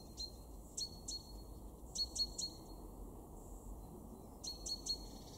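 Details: Great tit in a garden in Weener, East Frisia, northwest Germany, February 2023, giving sharp, high, clipped call notes in quick bursts of two or three, with pauses between bursts, over a steady low rumble of background noise.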